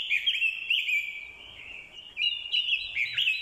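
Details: Loud, dense fighting song of a decoy orange-headed thrush, excited by a female's call: continuous bright warbling with rapid chirps and slurred whistles, briefly easing before a strong final burst.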